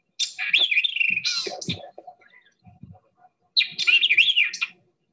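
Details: White-eyed Vireo song: two quick, emphatic phrases of sharp, slurred whistles and chips, high and jumbled, each opening with a mimicked Ladder-backed Woodpecker note, separated by a pause with a faint murmur.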